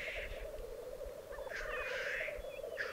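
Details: Black grouse at a lek in the Piedmont Alps, Italy, 2022: steady low bubbling chorus runs throughout while loud hissing sneezes burst in at the start, mid-clip and near the end.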